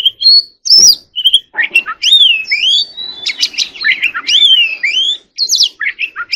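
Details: White-rumped shama singing a dense, varied stream of looping whistles, rising sweeps and buzzy notes, nearly continuous, with faint broadband noise under parts of it.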